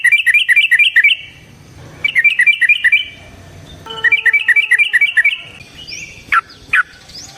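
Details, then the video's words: Fighting song of a yellow-vented bulbul meant to provoke another bird: three quick runs of bubbly, alternating notes, followed by a few separate sharp rising squeaks near the end. "Suara Burung TRUCUKAN gacor TARUNG ROPEL PANJANG pancingan trucukan agar JADI trucuk gacor EMOSI"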